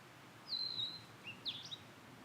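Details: Blue-and-white flycatcher in satoyama countryside, a drawn-out falling whistle followed by a few short, squeaky, upslurred notes.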